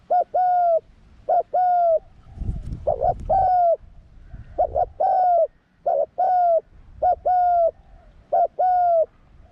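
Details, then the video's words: Spotted dove, a young bird out in the forest for the first time in training, delivers a long run of cooing phrases: short double coos and drawn-out coos, about eight phrases, with faint low rustling between. "ฝึกนกเขาใหญ่ ออกป่าครั้งแรก"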